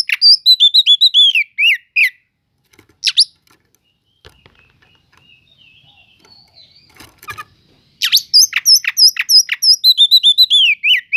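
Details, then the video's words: Kacer cele'ngan (Oriental magpie-robin) song meant to provoke slow-tempered magpie-robins. Rapid runs of high whistled, downslurred notes open and close the passage, separated by several quiet seconds of faint clicks and rustling. "Pancingan untuk burung kacer yang lambat emosi.setelah dengar kicauan kacer cele'ngan ini"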